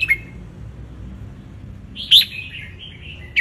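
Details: Red-whiskered bulbul, wild type from Ratchaburi, Thailand, basking in the sun and singing a tutor song for young birds: brief chirps around one loud, rich whistled phrase that trails off.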